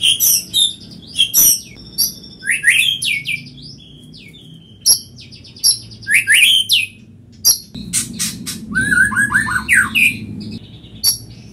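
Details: Rich, varied white-rumped shama song: loud whistled phrases, descending slurred notes, and sharp high chips repeated in bursts, with a rapid rattling series near the end and a soft low background hum.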